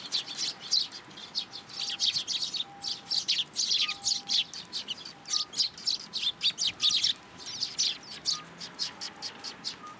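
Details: Fledgling sparrow begging for food in a plum tree at a Tenmangu shrine, June 15, 2022. Bursts of shrill, high chirping come in quick runs separated by brief gaps, with faint steady tones in the background.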